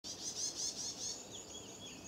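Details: Varied tit carrying a large beakful of nesting material near its suspected nest in a stone lantern, calling in alarm: a high, buzzy, nasal note repeated in quick pulses, then fainter thin notes fading.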